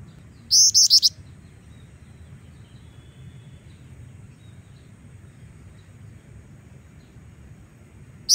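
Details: A female Black-winged Flycatcher-shrike, a kept bird, gives one quick phrase of three or four high, thin, sharp notes, then falls silent over a low background hum; another note starts at the very end.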